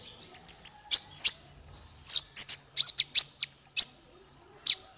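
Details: Male kolibri ninja sunbird, recorded to train songbirds, giving a brisk series of piercing high chirps and short rising whistles in quick succession.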